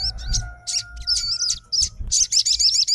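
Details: Sogon fighter answering a rival's song with bursts of high, wavering notes that end in a quick repeated series, over a steady faint hum and low thumps.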